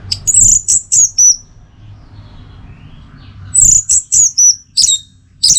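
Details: High-pitched, slurred whistles from an orange-headed thrush come in two clusters of four or five notes each. The clusters are separated by a quiet pause of about two seconds.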